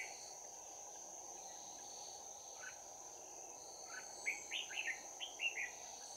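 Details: Red-whiskered bulbul with a bell-like fighting voice, recorded during trapping on 11 January 2019: after a quiet start, a cluster of short, bright warbled notes arrives in the final two seconds, over a constant high insect drone.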